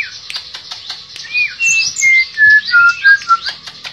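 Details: Tledekan pring, a shortwing, in energetic song of clear whistled notes that fall step by step, over a faint busy background of higher chirps.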